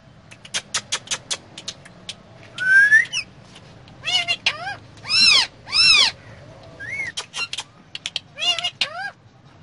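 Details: Parrot talking in a car, mixing quick clicks, a bright upward whistle and several loud nasal syllables with arched harmonics, then more clicks and short chatter over a faint engine rumble.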